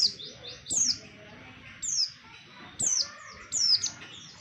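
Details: Lure song of an Oriental white-eye for bird trapping: sharp, high downward-sweeping notes in four bursts under a second apart, over quiet background twitter.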